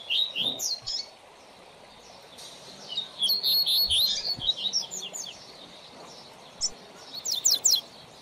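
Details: Singing coleiro, or papa-capim, used to train song: short bursts of high, fast, twittering and trilled notes separated by pauses, with a few faint low knocks in the background.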